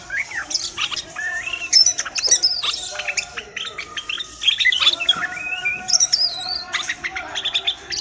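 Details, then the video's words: Common bulbul song: a dense run of bright chirps, quick rising whistles and short warbled notes, overlapping as if several birds sing at once. "تغريد البلبل:طائر الوطواط المغربي"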